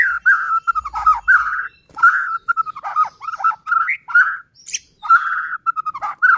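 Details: White-rumped shama song used to provoke other shamas: continuous varied warbling of whistles and chattering notes with brief gaps.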